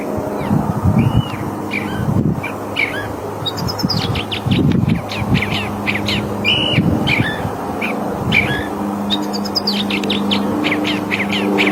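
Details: California thrasher (Toxostoma redivivum) song: a steady run of varied short phrases, some harsh, some sweet, with notes often doubled, over a low rumble of distant traffic.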